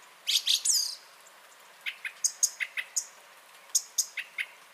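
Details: Song thrush in song, 30 January 2021: an opening burst of shrill, squeaky notes, then a string of short, clipped high chips given in a loose series.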